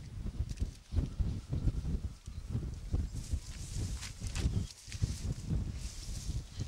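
Albatrosses give low, throaty braying calls in rapid, uneven bursts, several birds overlapping, with a steady wind rush behind them.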